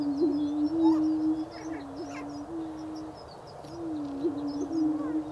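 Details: Greater prairie-chickens booming in spring 2010 in Wabaunsee County, Kansas: low, hollow, steady moaning tones from overlapping birds, with small upward hitches, a brief gap midway, and faint high whistles from other birds above.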